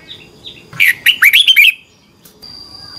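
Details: Red-whiskered bulbul singing in competition, used to train birds: a few soft notes, then a quick run of about five loud, swooping whistled notes, ending in near silence.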